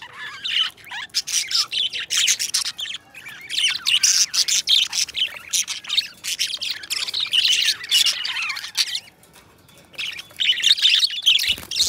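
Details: Two pet budgies singing and talking together, long runs of busy chattering warble with buzzy squeaks and clicks, a quieter stretch near nine seconds, then the chatter resumes strongly.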